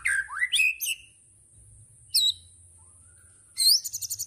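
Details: White-rumped shama singing 'tembakan' phrases: a low-to-high rising whistle with sharp chips, a single isolated high note, then a loud upslurred whistle followed by a quick rattle, with silent gaps between.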